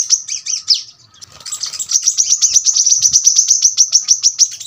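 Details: Brown-throated sunbird starting with a few jumbled high notes. After a short lull it launches into a steady, fast string of sharp, very high ticking notes, the dense tembakan rapat song, with light low bumps in the background.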